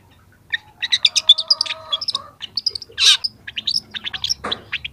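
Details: Varied song of a young long-tailed shrike beginning to reveal mimicked phrases, recorded for training: quick squeaky chips, a brief steady whistled tone, then a loud rasp and rapid scratchy notes.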